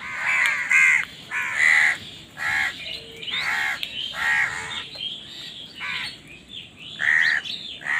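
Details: A flock of crows squabbling over food fills the air with frequent, overlapping rasping caws, loud and irregular, barely pausing throughout.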